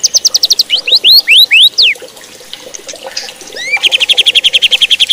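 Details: White-rumped shama song for provoking rival shamas: fast high repeated notes, then loud sweeping whistles rising steeply, a brief pause, and a long rapid high trill to the end.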